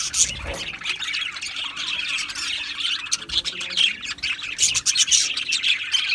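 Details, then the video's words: Colony of Australian budgie parakeets in an aviary, many birds chirping at once in a continuous high, scratchy warble, broken by brief louder squawks and clicks. "Beautiful Australian Budgie birds Chirping Sounds | Budgie birds sounds"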